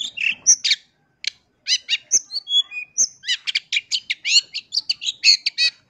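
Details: Pentet, the long-tailed shrike, singing a full lure song for provoking rival shrikes: harsh churring bursts, a short gap, then falling whistles and rapid rattling chatter.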